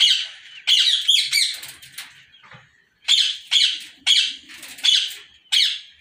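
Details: Harsh, raspy screeches from rose-ringed parakeets in a captive breeding colony in Pakistan, 2022, given in two bursts of several calls separated by a brief quiet gap.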